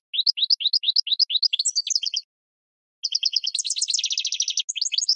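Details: [[1, 'yes', 'song', 'Goldfinch song played for training cage birds: rapid twittering phrases of rising chirps and buzzy trills high in pitch, two bursts of about two seconds separated by a short pause, clean with no other sounds.']]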